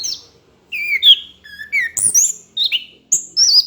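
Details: Short burst of orange-headed thrush tutor song for training other birds: a series of clear whistled notes that step upward, each phrase separated by brief gaps.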